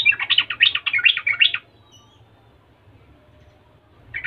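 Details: Yellow-vented bulbul singing vigorously to provoke other bulbuls to answer. A fast run of warbled, bubbling notes lasts about one and a half seconds, followed by quiet and the start of another phrase.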